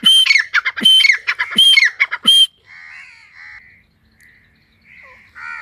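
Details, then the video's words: Partridge calling in a forest: a run of loud, harsh, squawking notes repeated about every half second for two and a half seconds, followed by softer, drawn-out, nasal calls. "جنگل میں تیتر کی بہت خوب صورت آواز"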